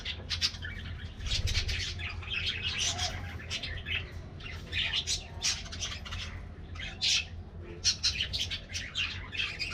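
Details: Morning treat time for a colony of colorful budgerigars; rapid sharp chirps, squeaks and warbling chatter in clustered bursts from several birds, over a soft low background rumble.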